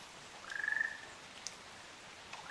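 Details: One rolling, slightly rising trill, about half a second long, from a pair of Ruddy Kingfishers on Amami Oshima, followed by quiet with faint drips.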